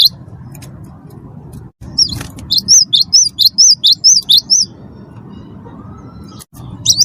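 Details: Cinereous tit in full chatty song, used to spur other birds to sing: a single run of about nine sharp, high whistled notes in quick succession mid-clip, with quiet gaps and a low background hum.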